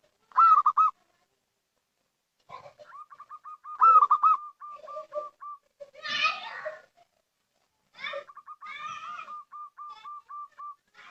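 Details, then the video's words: Zebra dove of a local strain, recorded as a lure call. Loud cooing phrases, each running into long strings of quick, even, staccato notes. A brief harsh, noisy burst falls midway. "Suara Panggilan PERKUTUT LOKAL , Paling Cocok Untuk Pancingan"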